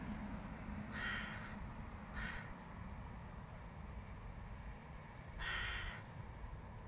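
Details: Fledgling hooded crow begging its mother for a peanut: three harsh, hoarse, drawn-out caws at uneven intervals over a steady low rumble of traffic.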